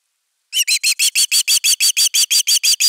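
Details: ['Osprey protecting its nest, recorded on nest camera #3 on 31 August 2021, calling a rapid train of about thirteen shrill whistled notes that continue to the end.']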